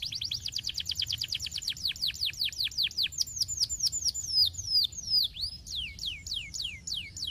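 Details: Canary master song for training: a fast train of descending whistled notes, steady at first, later varied with higher thin slurred notes, several per second.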